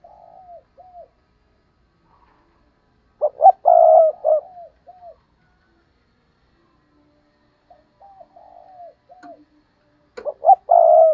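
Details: Decoy spotted dove repeating its 'gù cà lăm' stutter coo to provoke wild doves. Soft falling coos alternate with loud phrases of two clipped notes and a long flat coo, the pattern heard twice.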